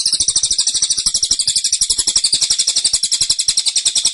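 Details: Unbroken, dense volley of sharp, high chirps from a cililin, 'tembakan' style, repeated about four times a second for the whole stretch without pause.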